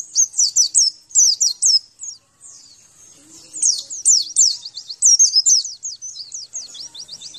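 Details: Rapid series of sharp, high downslurred notes from a Javan white-eye, training song for captive birds, in two lively bursts with a quieter gap around the middle.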